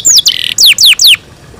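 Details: Brief burst from canaries kept indoors in the morning: a falling whistle, a short buzzy rattle, then three loud downslurred sweeps in quick succession before silence.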